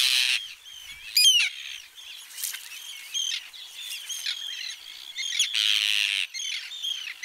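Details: Arctic terns swooping at an intruder on the Strandir coast of Iceland, at Trékyllisvík. Harsh screeching and sharp slurred notes from several birds, interrupted by bursts of wind or handling noise at the start and toward the end.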